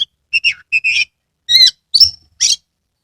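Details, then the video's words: Oriental magpie-robin singing with its tail fanned, Kebumen, Central Java: short paired whistled notes followed by a few louder buzzy and sharp whistled calls with gaps between them. "Kacer gacor TANPA IKLAN buka ekor full konslet"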